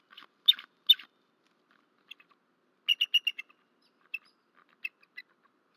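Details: Bald eagle at a nest in Rome, Georgia, just after midnight on 13 March 2024. The incubating bird is disturbed and wing-slaps, and later the male calls. High, thin chirps come in scattered notes, then a quick run of five sharp piping notes, with quiet pauses between.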